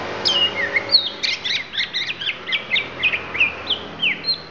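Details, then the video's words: Lampung oriental magpie-robin showing off isian: a quick, rhythmic string of trilled chirps repeated about three times a second between whistled slurs, lively and even-paced. "Kacer Lampung Keluarkan Isian"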